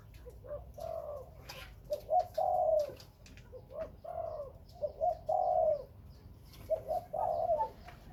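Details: Spotted dove among Khmer and Malay breeding birds, cooing repeatedly: four phrases of stuttered short notes each ending in a drawn-out falling coo, with frequent clicks and taps between.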